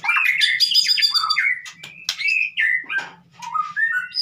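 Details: Brief burst of white-rumped shama song for coaxing a silent bird: bright overlapping whistles and buzzy notes, followed by separate short whistled phrases stepping upward.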